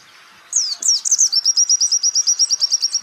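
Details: Champion white-eye singing on a songbird training recording: after a half-second hush, high sweeping whistles give way to a fast, even trill of about fourteen bright pulses.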